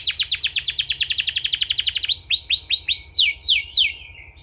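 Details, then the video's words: Canary song used as therapy for training canaries. A fast, rolling trill of high repeated notes runs for two seconds, then breaks into slower looping swoops and falling whistles. "suara terapi kenari ampuh‼️"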